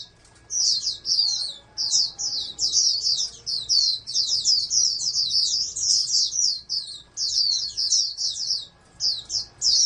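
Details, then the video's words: Caged oriental white-eye kept for breeding as a prospective national champion songbird, singing a long, fast, high twittering song of rapid slurred chirps in bursts, with a faint steady hum in the background. "TERNAK BURUNG PLECI CALON JUARA NASIONAL"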